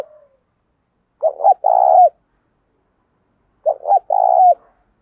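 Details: Decoy spotted dove used to stir wild birds into cooing, voice types thổ sấm and thổ bầu; two well-spaced phrases about two and a half seconds apart, each a choppy double note leading into a drawn-out falling coo.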